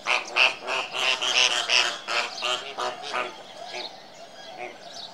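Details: Flamingos giving loud, bright nasal honks in rapid rhythmic bursts, about three per second, fading to softer scattered calls toward the end.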